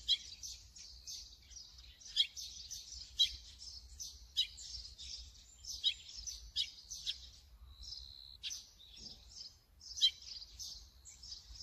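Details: Brown-eared bulbul recorded through a Sony camera and 200-600mm lens: busy, shrill chattering with punchy downward-slurred notes, a brief steady whistle near the middle, quiet low noise throughout.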